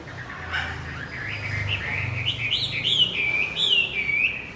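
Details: Javan white-eye singing, used to coax a male that stopped singing back into song: rapid high twittering warble building in loudness, over a low rumbling background hum.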